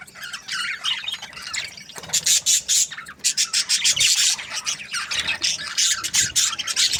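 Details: Australian budgies chirping: dense, scratchy, high-pitched chatter in rapid overlapping bursts, soft at first, then loud choppy squawks from about two seconds on, with brief gaps between phrases.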